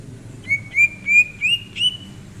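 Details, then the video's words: Greater green leafbird at rest, January 2022, giving a string of five clear, sustained whistles on nearly the same pitch, the last rising slightly and ending with a brief flourish; low hum underneath. "Kicauan Cucak Ijo saat nyantai"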